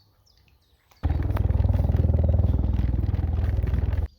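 A loud, low engine-like rumble pulses steadily for about three seconds after a quiet start, with no animal calls heard.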